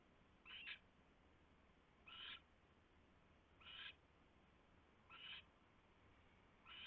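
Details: Night at a nest tray in February 2016: an owl sitting on the tray gives raspy, breathy screeches roughly every one and a half seconds, five short bursts in all against a constant low hiss.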